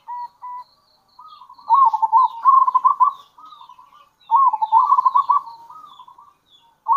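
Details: A local zebra dove begins with quiet single coos, then gives two loud phrases of quick, stuttered cooing with fading tails. It is calling with kerot and bekur to attract other zebra doves.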